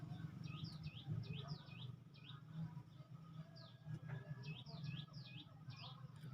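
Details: Grey-cheeked bulbul from the tropical forest of Sumatra around Medan, played as training song for captive birds: thin whistled notes, each slurred down then up, repeated in quick clusters over a steady low hum.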